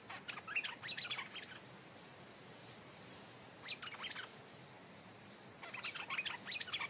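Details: Stripe-throated bulbul used as a decoy, a bird that has never been in the forest, taken back to the place it came from, where a new territorial resident now lives; three bursts of quick, chattering, chirpy notes separated by quiet gaps.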